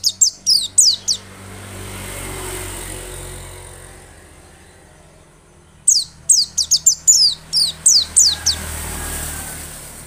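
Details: White-eye song played to spur other birds to sing: two quick bursts of high descending chirps, one short and one longer, with a low steady hum like distant traffic in between.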